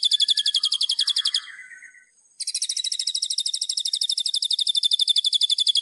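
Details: White-rumped shama master song for bird training: rapid high rattling trill, a brief soft warble and pause, then the fast buzzy rattle resumes.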